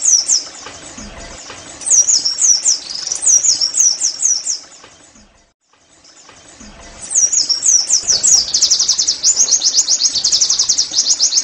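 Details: Oriental white-eye song to get caged birds singing: looping high whistled phrases, a near-silent break around five to six seconds, then renewed phrases building into a fast continuous trill.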